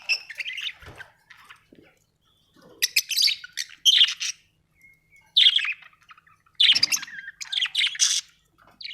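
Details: Happy budgerigar chirping and singing: bursts of bright, scratchy warbled chatter with quick tweets, broken by short pauses, then louder dense phrases in the second half.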